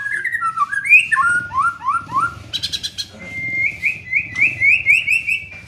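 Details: Young white-rumped shama being trained: a chain of falling whistled slurs, a quick high rattle, then a steady series of rising whistled notes repeated about four times a second.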